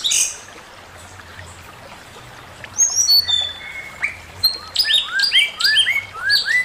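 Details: Male Chinese hwamei giving master song: a quiet start, then bursts of varied whistled notes, high thin slurs and falling phrases, building into rapid rising whistles repeated close together near the end.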